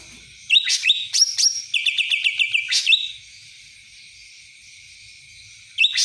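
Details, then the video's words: Cucak ranting song, described as kapas tembak style: sharp whistled slurs followed by a fast run of about ten clipped, repeated chirps, then a pause and one more high note. "cucak ranting rasa kapas tembak"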